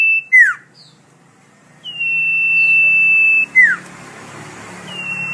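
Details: Common iora, or sirtu, singing its melodious song for songbird tutoring. Long level whistles alternate with quick descending slurred notes in a repeating pattern, with a faint low hum underneath.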